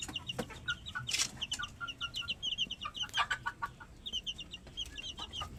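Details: High, quick twittering peeps from several plump chickens, repeated in fast runs with lower squeaky notes mixed in, plus sharp rustles and knocks throughout.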